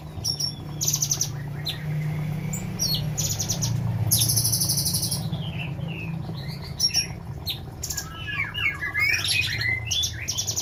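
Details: Several caged female sooty-headed bulbuls in the Semarang area, Indonesia, with repeated high buzzy rattling bursts, a few slurred whistles near the end, and a steady low hum underneath.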